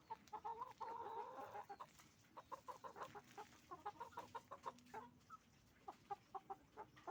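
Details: Flock of chickens, roosters and hens, on a farm: a drawn-out cackling call early on, then steady rhythmic clucks from several birds, close and distinct.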